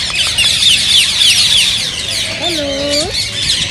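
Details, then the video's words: Rose-ringed parakeets, green form, calling in a way said to encourage singing and mating. Shrill squawks pile into a steady chatter. Near the end a lower, drawn-out tonal call bends upward. "ببغاء الدره تحفيز رهيب رهيب"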